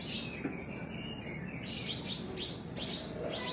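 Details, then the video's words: An Oriental magpie-robin sings in full voice, a run of varied clear whistles, rising and falling sweeps and chattering notes without pause over a low hum, with another magpie-robin responding in song. "KACER NGEPLONG KACER LAIN LANGSUNG RESPON NGEPLONG BONGKAR ISIAN"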